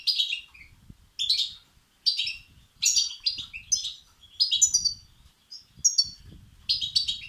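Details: European goldfinch chicks begging, used to stimulate and excite males: dense high chirping bursts, some notes sweeping downward, repeated about every half second with a soft low background rumble.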